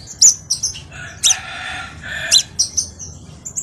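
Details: Crimson sunbird singing as a lure recording for training birds: sharp high chips and squeaky notes in irregular bursts, with a few rougher, lower buzzy notes.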